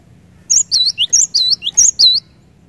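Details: Short stretch of loud cinereous tit song, said to rouse other cinereous tits into song: three quick high phrases, each a sharp upper whistle sliding into a lower curled note, with faint low background hum.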